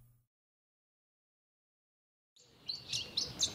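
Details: A pin-tailed whydah in southern Africa, calling from an exposed song post to advertise its presence or attract a mate, gives a quick burst of high, squeaky chirps and twitters, about four notes a second, after a silent start over faint hiss.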